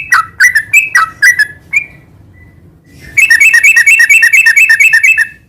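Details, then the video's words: Yellow-vented bulbul (trucukan) singing gacor, sambung ngeropel style: a few bubbly whistled phrases, a quiet gap, then a rapid, steady rattle of short sharp notes, about two per second or faster. "Suara kicau burung trucukan gacor garuda sambung ngeropel"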